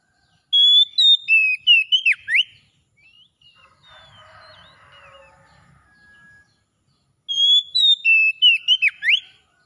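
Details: Kacer (Oriental magpie-robin) ngalas song for restoring a bird that stopped singing: two bright phrases of steady whistles and rapid up-and-down slurs, with a quieter scratchy chattering passage between them.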